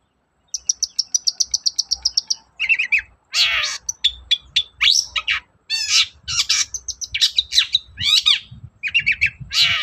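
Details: Long-tailed shrike in morning song, used to provoke other shrikes into singing: a fast series of about fifteen identical thin high notes opens, followed by harsh rasping bursts and varied squeaky, sweeping phrases.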